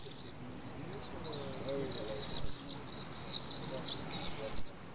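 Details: Common swifts at a colony in wall drainage holes on a hill in Nice, France, evening; continuous shrill, high-pitched trilled screaming rising and falling in waves.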